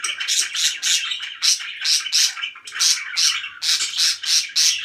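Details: Pet budgerigars described as very happy, chirping in a dense run of bright, buzzy, scratchy notes in quick pulses, several birds overlapping.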